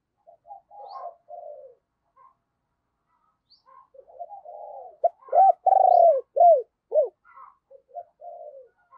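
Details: Spotted dove used as a lure, cooing in thúc and gáy style to call in wild doves. Soft, falling coo phrases lead into a run of five loud, arched, quick coo notes, then gentle cooing returns.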